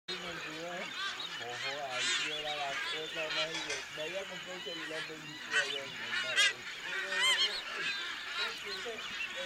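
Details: Nazca booby colony on Malpelo Island, eastern Pacific: many overlapping harsh, goose-like honks, about one a second, with thin high whistles cutting through a steady background din.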